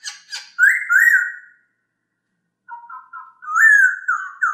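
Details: Masked laughingthrush song, a clear voice recorded for training other birds: a brief rough burst, then loud, rich whistled phrases sliding up and down, a pause of about a second, and further fluty, wavering notes.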